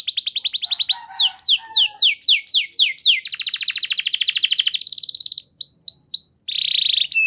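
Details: Canary song used as a lure so other canaries start singing: fast trills, a run of falling swoops, a long rapid rattling trill, then a buzzy burst at the end.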